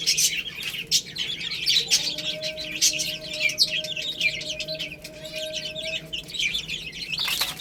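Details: Baby hens pecking at rice keep up rapid, high-pitched chirping from many birds at once, while a steady low hum runs beneath the middle of the recording.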